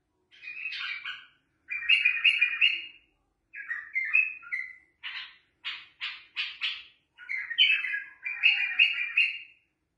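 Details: Bulbul song of chattering, warbled phrases mixed with a run of short, buzzy repeated notes. Most of the phrases are delivered with little pause between them.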